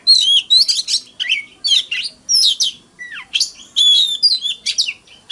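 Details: Decoy Oriental magpie-robin singing its fighting song, used to urge rivals to sing; loud, rapid bursts of whistles, buzzy trills and one sharply falling slur, in tight back-to-back phrases.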